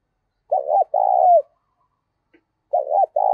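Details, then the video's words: One and a half phrases of spotted dove cooing in the thổ voice style, loud and clear: a short doubled coo, then a long coo curving down at the end. The next phrase starts after a brief pause. "tiếng cu gáy giọng to + rõ + ít tạp âm giọng thổ pha"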